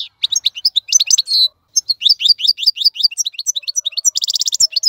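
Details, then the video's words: Tutor song of a European goldfinch for teaching young birds: quick tinkling, up-slurred chirps run together, a short break after the first second, then more twittering and a fast buzzy trill near the end. "افضل مقنين لتسميع الفراخ. مقنين جميل جدا لتعليم الفراخ"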